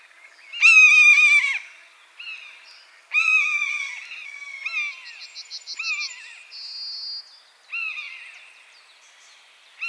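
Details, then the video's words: Buzzard in its natural habitat giving four drawn-out mewing calls, each a harmonic-rich, level scream ending in a downward slur, spaced a few seconds apart, with small birds' thin trills and chips in between. "Buzzard Sound | Hear the Wild Call of a Majestic Bird of Prey"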